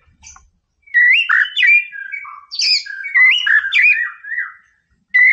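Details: Energetic "Boomerang" song of a white-rumped shama, sung to provoke a rival: after a brief pause, a fluid stream of rich whistled notes, slurred up and down, ending in silence before a new phrase starts.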